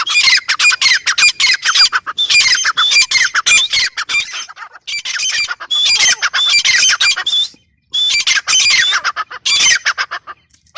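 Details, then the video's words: Grey francolin (teetar) in long, loud bouts of rapid, scratchy squawks, repeated in phrases of about two seconds separated by short pauses. "Teetar sound | teetar awaz | teetar ki awaz | gray francolin teetar sound"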